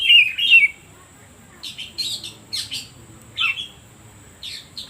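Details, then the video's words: Oriental magpie-robin used as a provoking lure: a brief clear warbled whistle opens, followed by scattered short sharp high chip-like notes separated by quiet gaps. "Suara Pancingan Kacer Paling Ampuh"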